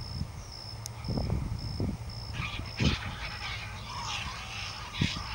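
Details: Two great blue heron chicks at the nest squabbling at feeding time: harsh, noisy squawks in overlapping bursts during the second half, over a steady high pulsing tone and low thumps and knocks.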